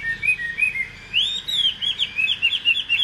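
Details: Caged Chinese hwamei, no female present: short whistles, then a long rising-falling whistle leading into quick bubbling high phrases.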